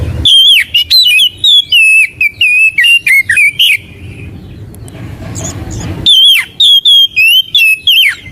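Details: Magpie robin (kacer) singing, used as a lure and tutor recording for caged birds: loud whistled phrases sliding between mid and high pitch, delivered in rapid bursts, with a quieter noisy gap midway before the song resumes.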